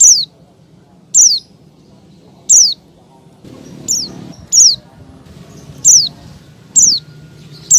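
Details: Oriental white-eye hen in heat calling for a male: nine thin, high, falling tsee notes at irregular gaps of one to one and a half seconds, background noise rising in the second half.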